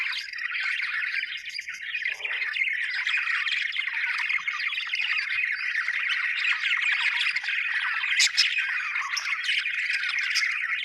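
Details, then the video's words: A flock of happy budgies chirping without pause, a thick scratchy warbling chatter with occasional harsh squawks and sharp high clicks rising above it. "happy budgies chirping sound"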